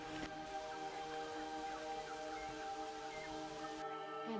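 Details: Steady music with sustained tones fills the clip, with no animal voice standing out.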